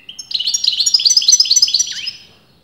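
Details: European goldfinch, its sex disputed among experienced breeders, delivers a brisk two-second phrase of high, bright twittering notes in quick succession, ending with a downward slurred note.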